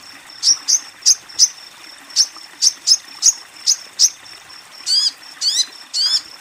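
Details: Female sogon calling to a male: high, thin chip notes repeated about every third of a second, ending with three harsher, buzzier squeaks, quiet background.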